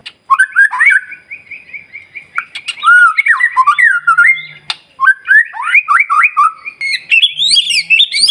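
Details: White-rumped shama singing day and night to provoke silent shamas: rich, rapid whistled phrases with looping slurs and quick repeated notes, broken by brief pauses, with a faint low hum in the middle.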